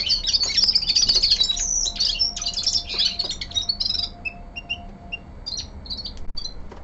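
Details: Indoors, a young male common linnet gives winter song, opening with loud rapid twittering and buzzy trills, then thinning to sparse high chirps and a few soft whistled notes.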